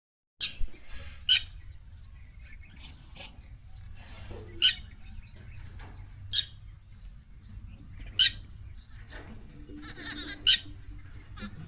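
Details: Mynas fighting in a village: sharp, loud, high chirps and squawks burst out every second or two between softer chattering notes, with a low background hum.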